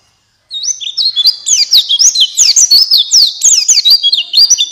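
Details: Loud buxtoni white-eye song used to prompt other white-eyes. After brief silence, a steady, dense stream of high, tumbling twitters and quick slurred whistles continues to the end.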